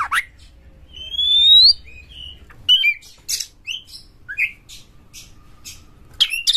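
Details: Aggressive Oriental magpie-robin (kacer galak), whose singing is said to rouse other magpie-robins to sing loudly: a clear falling whistle, then short sliding whistles and sharp clicking notes with pauses between them.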